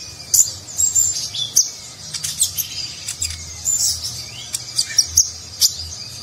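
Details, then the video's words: Sunbird called konin or kolibri ninja delivering rich 'nagen'-style song for training contest birds; a jumble of thin, very high tweets, short trills and chips runs almost without pause over a soft low rumble. "Konin Gacor Isian Mewah Gaya Nagen, Cocok Untuk Masteran Burung Lomba"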